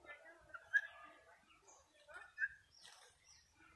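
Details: Pet turkeys playing, giving soft, irregular chirps and purring clucks, mid-pitched and overlapping, in short bursts every second or so, with faint low thumps beneath.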